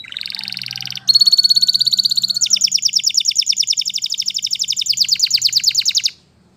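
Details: Canary singing in the wild: an unbroken run of high, rapid trills, first a dense buzzy roll, then a brighter fast trill, then about four seconds of quick repeated chopped notes before stopping abruptly. Faint low hum underneath.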